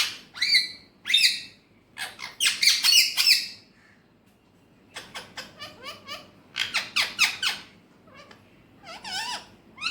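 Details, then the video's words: Alexandrine parakeet, described as talking in Urdu/Hindi in its natural voice: harsh, raspy squawks and chattering bursts in rapid clusters, a quiet gap near the middle, then more choppy, warbling, speech-like phrases ending in a wavering squawk. "Alexandrine Parrot Natural Voice"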